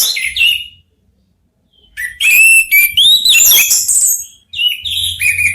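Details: Three orange-headed thrushes sing in answer to one another. A short whistled phrase comes first, then after a silence a loud rush of overlapping high, slurred whistles and chips, and finally a descending whistled phrase.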